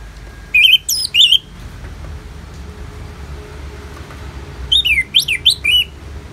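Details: Orange-headed thrush singing in a rain-sound therapy recording: two short bursts of fast, twisting whistled phrases separated by about three seconds of soft hiss.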